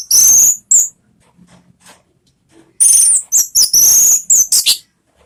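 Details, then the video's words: Orange-headed thrush lure song in ngeplong style: piercing high drawn-out whistles and buzzy notes in two loud bursts, with a faint low hum in the quiet gap between them. "SUARA BURUNG ANIS MERAH ¦ PANCINGAN NGEPLONG ¦ KICAUAN"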